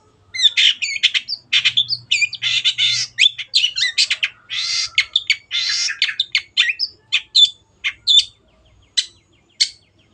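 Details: Long-tailed shrike, a kept bird singing on a training recording: long, busy scratchy chatter of rasping and squeaky notes that thins out into spaced single chirps near the end.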